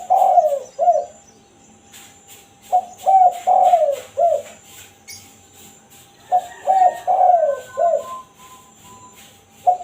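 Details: Spotted dove in the 'kuk satu' style, used to lure wild doves: three phrases of mellow, low coos, each a few short notes ending in a longer falling coo, separated by quiet pauses.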